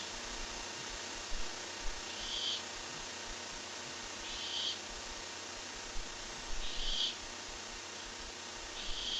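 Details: Quiet, wheezing hisses from a barn owl on webcam, 23 July 2015, four short bursts roughly two seconds apart, faint against a steady electronic hiss, with occasional soft taps.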